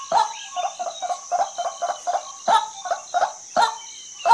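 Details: Female white-breasted waterhen giving irregular clucking notes, some quick and soft, others louder and spaced apart, over a constant high-pitched insect hum.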